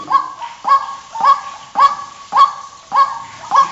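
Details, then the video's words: A White-breasted Waterhen gives harsh, nasal, croaking notes, seven of them in under four seconds at a steady, even pace, with no other sounds. "TIẾNG QUỐC KÊU"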